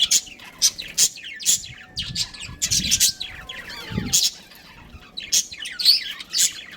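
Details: Captive budgerigar colony with a breeding pair, giving bright, rapid chirps and warbled twitters in quick bursts, several birds overlapping, with brief quieter gaps and soft low thumps.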